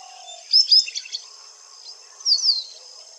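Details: An Indian white-browed wagtail utters two short bursts of thin, high chirping notes about two seconds apart over a steady background hiss.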